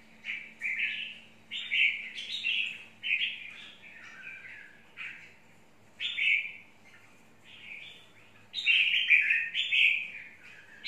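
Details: Red-whiskered bulbul (chào mào mộc) singing a series of brief, clear phrases with frequent pauses. They end in a louder, faster burst of warbling. There is a faint background hum.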